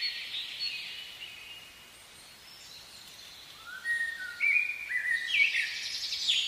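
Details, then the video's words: Common blackbird in a spring forest. After a quiet stretch it gives a few low, fluted whistles that end in a brighter twitter, while other small birds chirp faintly in the background. "Blackbird Song"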